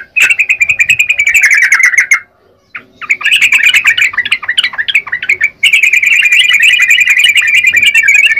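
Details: Busy chattering song of a yellow-vented bulbul: long runs of rapid, slightly wavering twittered notes, separated by two brief pauses.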